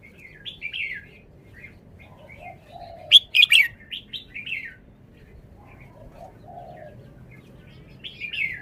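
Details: Caged red-whiskered bulbul displaying its song phrasing: runs of short chirpy whistled notes, a loud cluster of sharp warbled syllables near the middle, scattered softer notes, and a few low mellow notes in the background.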